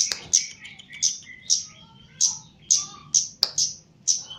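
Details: Caged Chestnut-capped laughingthrush being trained for mental conditioning: loud sharp high chirps about twice a second, interleaved with softer lower whistled and warbling notes.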